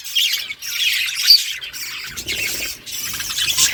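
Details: A rasping, buzzy budgie warble, steady and chattering, broken by two short gaps.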